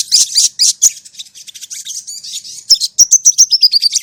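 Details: Crimson sunbird song played as a lure so a caged bird adapts to other birds' voices. It opens with dense, high, buzzy twitters and scratchy notes, then ends in a quick, evenly spaced run of thin chirps stepping downward.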